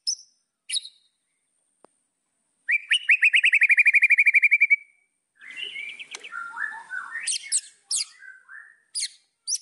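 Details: White-rumped shama singing to stir up rivals: scattered high notes, a fast even trill of around fifteen notes, then a jumbled mix of warbles and sharp high calls.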